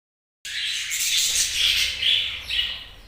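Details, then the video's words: Several budgies chattering together, a continuous dense stream of high chirps, warbles and squawky notes starting abruptly and running without pause. "Budgies' Chirping Sounds"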